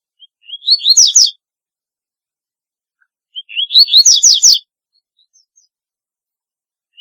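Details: Distinctive song of a double-collared seedeater: two complete strophes about three seconds apart, each opening with soft whistles that build into loud, rapid, slurred whistled notes, with a brief note starting at the very end.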